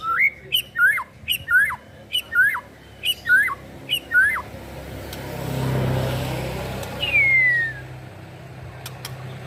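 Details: A young white-rumped shama, a potential backup contest bird, repeats a hooked whistled note about eight times at a steady pace, then gives one long descending whistle over low traffic-like rumble.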